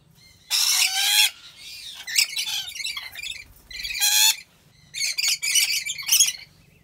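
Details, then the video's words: Captive rainbow lorikeet in Aceh Besar, Indonesia: a long rasping shriek, then softer twittering chatter, another sharp screech and a closing burst of rapid scratchy notes. "Rainbow Lorikeet Sounds"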